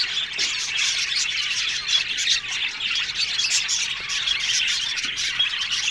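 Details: Aviary colony of Australian budgies, continuous overlapping chatter of chirps, warbles and scattered squawks from many birds.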